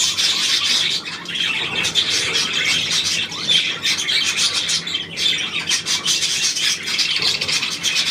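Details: Budgerigar chatter from 9 February 2024: steady overlapping twittering and scratchy squawks, busy and unbroken, with slight dips in loudness around the first and fifth seconds.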